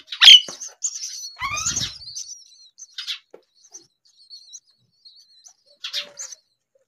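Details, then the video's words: Hungry baby myna calling: sharp high chirps and a harsh raspy burst with rising harmonic notes, then scattered faint squeaky notes and short rasps toward the end. "A baby Myna bird was hungry"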